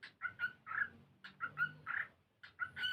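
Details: Cockatiel learning to sing while playing and dancing: short whistled chirps alternate with a few longer, fuller warbled notes, grouped in bursts separated by short silences, with a low steady hum behind.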